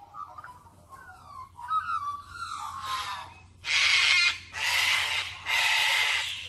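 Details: Cockatoos in Oxley Avenue give a few thin, wavering whistles, then three loud, harsh screeches about a second apart.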